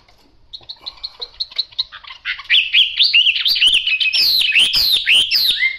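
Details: Chinese hwamei with yellow bill and yellow legs singing: a run of quick repeated notes that speeds up and grows louder into loud rising and falling whistled slurs, about four notes a second.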